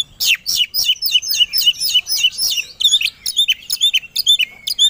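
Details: Oriental magpie-robin (kacer) provoked into fierce fighting song. A rapid chatter of high, harsh, slurred notes is followed by evenly spaced, clear whistled chirps that bend downward, repeated several times.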